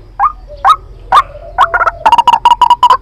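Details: Trapping lure of a white-breasted waterhen: a few spaced, rising croaks, then a rapid, even string of short harsh notes.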